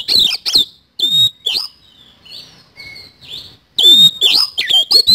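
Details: Oriental magpie-robin (kacer) song in the 'isian kasan' style: loud, sharp whistles and grating chatter, then a soft pause of faint thin whistles, before a fresh rush of sweeping, ringing phrases.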